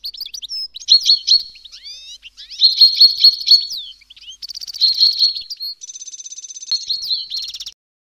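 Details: Clean recording of a goldfinch mule: separate bursts of high twittering and ringing trills with brief gaps between phrases, including a sweeping slurred run and a fast buzzy trill near the end.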